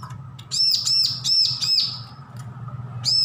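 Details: A bar-winged prinia fledgling, newly off hand-feeding, rehearses its song. A rapid run of four high, bowed chirps follows a soft start, then a pause and another chirp. A low hum lies underneath.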